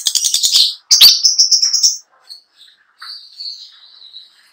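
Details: Long-tailed shrike, a contest bird, singing a song full of fill material: a fast run of buzzy, scratchy high notes, then a short pause and scattered thin, drawn-out whistles.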